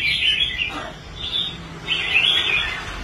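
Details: Caged red-whiskered bulbul, a bird that once quit fighting and was then restored, singing on a competition rack: two bright warbled phrases, rising and falling, with a quieter dip in between.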